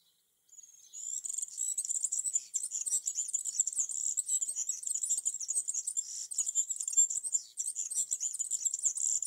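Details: A European serin singing in a tree in summer gives a long, high, fast jingling trill of thin buzzy and tinkling notes, running almost without pause for several seconds.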